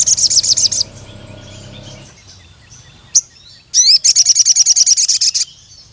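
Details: Crimson sunbird calling a rival male, with rapid, high, piercing chip series at the start and again in a longer run near the end, separated by quieter stretches with a low hum and a few single sharp notes.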